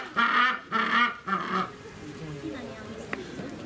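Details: Captive northern rockhopper penguin at Keikyu Aburatsubo Marine Park, Kanagawa, 25 February 2018, during a squabble over food in which one fell into the water: three harsh, nasal braying bursts in quick succession.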